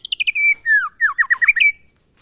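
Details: White-rumped shama singing in the monotonous glondong style: a burst of quick descending chips, then long slurred whistles and a run of rising, warbled notes ending in a sustained whistle.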